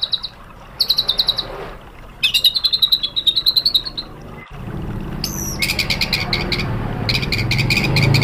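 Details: White-rumped shama song used as a lure and training recording: short buzzy trills and fast stuttering phrases in separate bursts, followed by a rising low-pitched background rumble.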